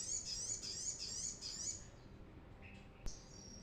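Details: Brown-throated sunbird, played as a lure to train birds, giving a high, thin, rapidly repeated chirping trill for almost two seconds, followed by a sharp click and a brief faint high note.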